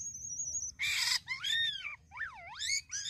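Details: Starling known locally as jalak kapas singing a varied song: a steady high whistle, a harsh grating burst, an arched whistled note, then a deep V-shaped swooping whistle before another high phrase.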